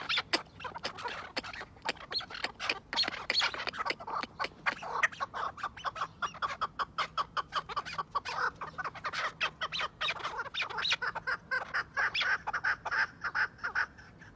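Chukar partridges give a dense, rapid chorus of harsh, clucking chuk notes, many overlapping.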